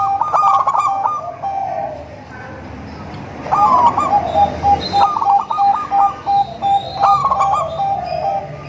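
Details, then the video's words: Melodious lure song of zebra doves (local, crossbred, Bangkok): a trill phrase, a quieter gap, then rolling trills and rapid clipped coos in alternation, faint high chirps overhead. "suara merdu untuk memancing perkutut anda"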